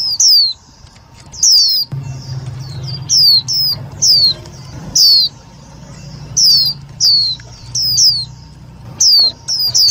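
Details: Loud, clear Indian white-eye lure: single and double high descending chirps spaced about a second apart, meant for trapping and rousing other white-eyes, over a low background drone.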